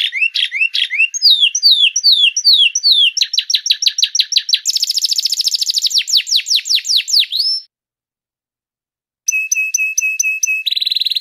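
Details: Canary (Serinus canaria), song.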